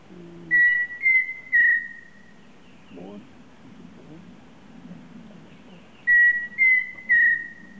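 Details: Pheasant Cuckoo on Pipeline Road, heard calling every night: a clear, whistled phrase of three notes, the last one drawn out and trailing, repeated after a pause over faint low background sounds.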